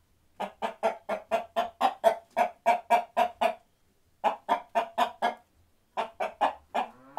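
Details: Chickens on a farm clucking loudly in rapid bursts, roughly four evenly spaced clucks per second, in three runs broken by short silences.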